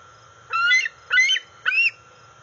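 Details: Juvenile female bald eagle, 131 days old, calling for food from off the nest as her father brings a fish to the NCTC nest on August 5, 2020; three loud, whiny, harmonic squeals rising and falling, over steady insect hum.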